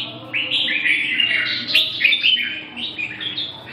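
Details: Red-whiskered bulbul producing rapid, chattering warbled phrases of slurred whistles, fairly continuous, with a low background hum.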